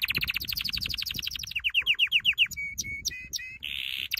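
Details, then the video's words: Singing canary on a training song: a rapid trill slows into descending slurred notes, followed by clear whistled notes and a short buzzy phrase. "Your canary will NEVER STOP SINGING With this training song"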